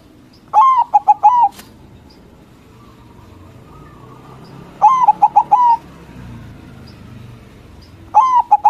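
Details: Loud singing of a local zebra dove (perkutut) meant to make rival doves answer; three cooing phrases about every four seconds, each a long note, two quick short notes and a drawn-out final coo, with faint low background hum.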